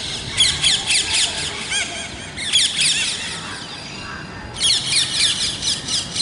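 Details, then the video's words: Parrots calling, loud harsh squawks with rapid up-and-down inflections, about four per second in dense overlapping bursts, pausing briefly near two seconds and four seconds before resuming. "Natural Parrot Voices"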